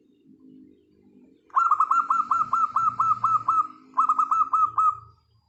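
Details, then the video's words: Zebra dove of local stock in song, meant to prompt silent birds to start singing: a fast string of about twelve looping coo notes at level pitch, a brief break, then five more, over a soft low rumble. "Suara perkutut lokal alam pancingan super Ampuh,sangat cocok untuk mengatasi perkutut (MALAS BUNYI)"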